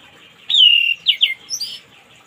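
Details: Morning song of an orange-headed thrush, meant as therapy for a silent bird. A long, smooth whistle gently falling in pitch is followed by two quick slurred notes and a pair of higher, thinner whistles.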